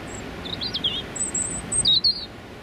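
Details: Male European robin delivering territorial song from very close range on a cold January morning amid London rush-hour traffic; high, twisting warbled notes and thin piercing whistles over a low traffic rumble.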